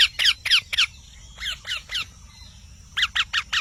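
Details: Parrot giving quick, sharp, downslurred screeches in rapid groups of three to four, a softer group in the middle, background otherwise still.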